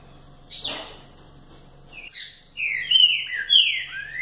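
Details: Green-winged saltator (Saltator similis), song.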